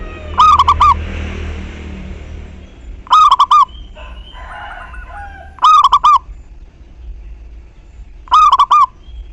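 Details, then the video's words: Local zebra dove cooing as a lure for other doves to respond: four loud, tremulous coo phrases of rapid pulses, repeated roughly every two and a half seconds, with some rustling noise between them. "Perkutut Lokal GACOR Pancingan Tercepat Buat Nyaut Bunyi"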